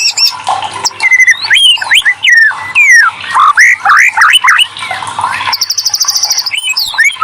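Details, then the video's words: Prompting song of a white-rumped shama, meant to make lazy birds answer and sing: loud, tumbling mix of swooping whistles and harsh notes, ending in a rapid high buzzy trill followed by sharp chips. "TERAPI MURAI BATUterampuh burung macet langsung gacor"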